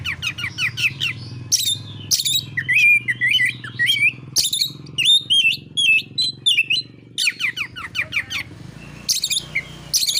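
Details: Oriental magpie-robin singing aggressively to provoke other birds: bursts of harsh, buzzy rasping notes alternate with clear curling whistles and quick chirped phrases, separated by brief pauses, with a faint low hum behind.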